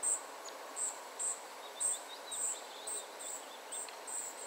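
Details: Spotted flycatcher family: quick high thin calls at irregular intervals of about half a second, accompanied by faint lower twittering notes in the background, over even hiss.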